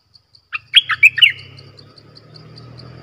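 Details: A caged bulbul used as a decoy sings one quick gurgling phrase of several clear, warbled notes, followed by low background rumble. Recorded 18 December 2021.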